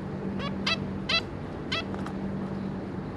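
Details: Zebra finches, two adults with three juveniles, 26 May 2022, with four or five short, bright nasal calls spaced irregularly, the later ones softer, against a background hum.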